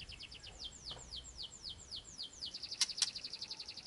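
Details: Murai song used as a lure to provoke a caged bird's reply: a quick series of high, downward-sweeping whistled notes about four per second, ending in brighter trilled notes with two sharp clicks, over faint background hiss.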